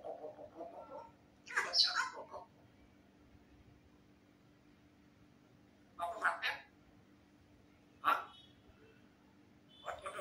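A grey parrot speaks short, speech-like phrases with raspy, whistly bursts every few seconds, quiet gaps between, over a low steady hum.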